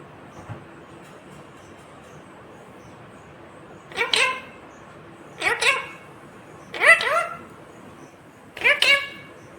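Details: Ringneck parakeet imitating "mummy papa": four short, bright, word-like notes repeated roughly every one and a half seconds against a quiet background.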